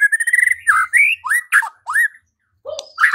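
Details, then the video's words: White-rumped shama used to spur singing and fighting: a fast series of short clipped notes, then several loud slurred whistles each dipping and rising, a pause, and a final burst. "Murai batu LANGSUNG TARUNG dan IKUT GACOR dengan pancingan seperti ini"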